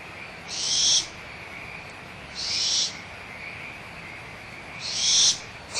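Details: Owlets of the barn owl, Audubon Starr Ranch Sanctuary, April 2011, excited during a small squabble over leftover food: three harsh hissing screeches at uneven intervals, each about half a second long, over chorusing frogs.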